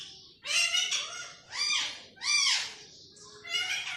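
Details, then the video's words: A pet green parrot mimicking human speech with four loud, drawn-out, arched nasal syllables spaced about a second apart. "طوطے کی خوبصورت بولیاں"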